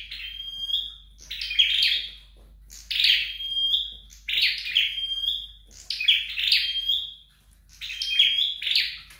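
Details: Flowerpecker being trained at home, singing high, bright phrases of buzzy chirps around a thin steady whistle, in about six bursts with short silent gaps, low indoor hum beneath.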